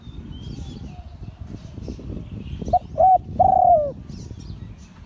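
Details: After noisy near-silence, an auspicious-line spotted dove gives one Liu Tan style crow: two short hollow coos and a long descending note, with faint high chirps of other birds.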